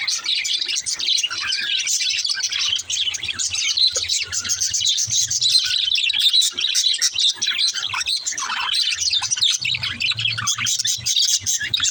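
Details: Baby budgerigar warbling: a constant high, fizzy chatter of rapid tweets and scratchy notes that holds steady from start to finish.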